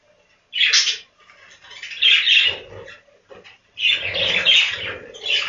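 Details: Budgerigars in a breeding room on a budgie farm give harsh, scratchy chirps and squawks in separate bursts, with short quiet gaps between them and a soft low rumble underneath.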